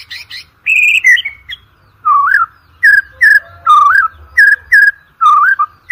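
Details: White-rumped shama song used to provoke competition birds into singing: a buzzy opening, then a steady series of short, bright, curling whistles repeated at an irregular, lively pace.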